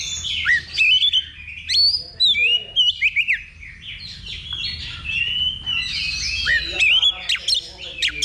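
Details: Oriental magpie-robin singing at a level 2 practice contest ahead of a real competition: loud whistles sweeping up and down, scratchy chatter and abrupt high notes in quick bursts, low rumble underneath.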